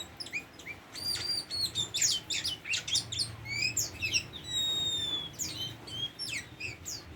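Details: Varied song of a tame Oriental magpie-robin: bursts of sharp clicks and chirps, then long pure whistled notes and twisting slurs, delivered in quick irregular phrases.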